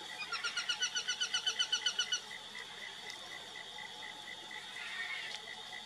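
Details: An Aplomado falcon opens with a quick run of about fourteen harsh, evenly paced notes lasting two seconds, followed by a steady rhythmic insect-like pulsing and a high constant whine.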